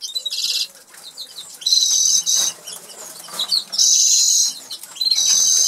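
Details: Norwich canaries, two caged birds in an aviary in England, singing while they eat; bursts of loud buzzy rolling tours separated by quieter chirps and pauses, repeated four times.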